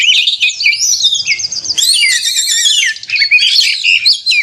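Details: Kacer, the Oriental magpie-robin, pouring out an agitated konslet narung song for contest simulation, provoking caged birds; long looping whistles and rising slurs, then rapid jumbled twitters, a short lull near three seconds before more chatter.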